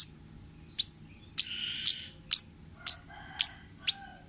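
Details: Wild 'ngalas' orange-headed thrush in a lure recording meant for untrained birds: a steady series of piercing high chirps and down-slurred whistles roughly twice a second, with one hoarse, buzzy note early on. No other sounds.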